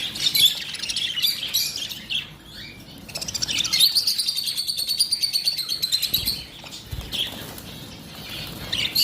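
Lovebirds keep up shrill, high-pitched chattering, with rapid buzzy runs of squeaky notes and sharp chirps, and some wing flutter in the background.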